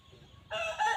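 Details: Red junglefowl in the wild, its call said to bring hens running: a loud crow bursts in after a half-second of near silence and is cut off while still going.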